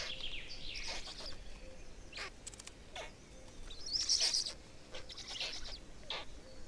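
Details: Black stork chicks in Estonia, 18 May 2019, around the time of a fourth chick: short breathy, hissing bursts, some clustered and some spaced, with one louder rasping burst near the middle over a steady low background hum.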